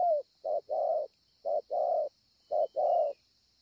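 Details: Spotted dove cooing at Ngọc Hồi, 25 March 2020: a falling coo tail, then three regular pairs of low notes, short followed by long, over a faint continuous high-pitched hiss.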